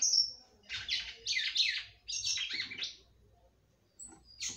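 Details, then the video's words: Singing female red-cowled cardinal, aimed at stimulating the male: a high whistle, then rhythmic groups of buzzy, slurred chirps in two runs, a quiet pause, and a final short note. "FÊMEA DE GALO DE CAMPINA CANTANDO MUITO PRA FOGUEAR SEU CAMPINA."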